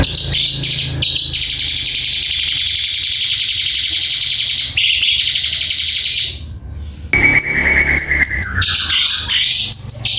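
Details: Black-collared starling singing: loud, harsh, buzzy chattering held for several seconds, a brief pause, then sharper whistled notes and rasping phrases, over a low background hum.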